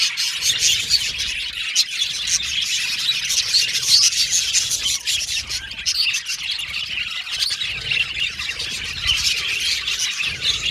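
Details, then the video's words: Pet Australian budgies in lively chorus, steady high chatter with harsher squawky notes mixed among the warbling chirps. "Australian Budgies Birds Singing & Chirping Sound"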